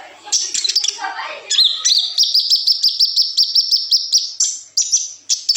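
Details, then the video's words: Tutor recording of a kolibri ninja sunbird: a few high chirps and a lower descending sound, then a fast, even, buzzy trill of about three repeats a second and closing chirped flourishes. "suara burung koLibri ninja super gacor"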